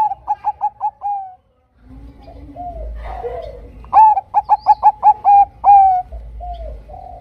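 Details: Bangkok-type zebra dove lure song, meant to set silent zebra doves singing: a short phrase of quick clipped coos, then soft lower murmuring and gentle drawn coos, then a longer ringing run of rapid notes ending in a sustained tone.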